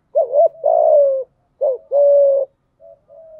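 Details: Spotted dove used as a decoy for luring wild doves: two paired phrases, each a wavering short coo then a long level coo, ending with two faint soft notes.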